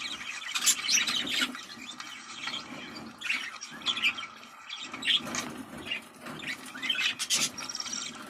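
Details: Budgerigar chatter played to stimulate breeding: dense, scratchy warbling with high squeaks and clicks in quick bursts, pausing briefly near the middle, over a faint low hum.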